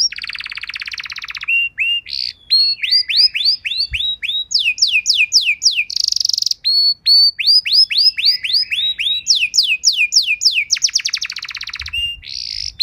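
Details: Kenari (canary) training song used as masteran and pancingan to teach other birds: long varied stream of rapid trills, buzzy rattles, sweeping whistled notes and rolling repeated phrases, changing tempo every few seconds, clean with no other sounds.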